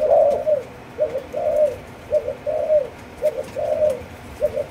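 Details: Four-month-old spotted dove of a Malaysian line, bred for the chiêu gù chạy cooing style. It gives low, soft coos in paired and longer notes, repeated roughly once a second over a steady hiss of background noise.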